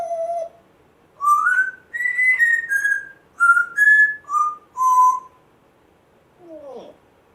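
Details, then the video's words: African grey parrot, a pet rescued a month earlier, whistling a string of clear tonal notes that rise and fall like a tune, ending after a pause with a faint falling squeak. "Hilarious African Grey parrot talking, funny weird sounds"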